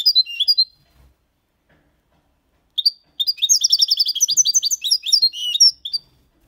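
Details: Malaga-copy song from a six-month-old goldfinch, meant to stimulate young birds: a short burst of high chirps, a long pause, then a rapid, continuous stream of sweet twittering and buzzing notes lasting about three seconds.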